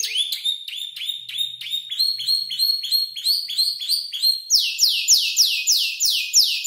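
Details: Five-month-old canary still composing its song from heard tutor birds like ciblek and prenjak lumut; quick repeated clipped whistles followed by a series of loud, descending swept whistles in steady rhythm.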